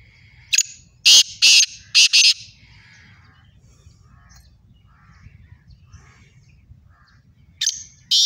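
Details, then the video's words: Contest between a pair of Sindhi black francolins: a harsh phrase of a sharp opener and three buzzy bursts, a quiet stretch, then another phrase beginning near the end. "do Kale Sindhi chitron ka mukabala Kale teetar ki khubsurat awaaz"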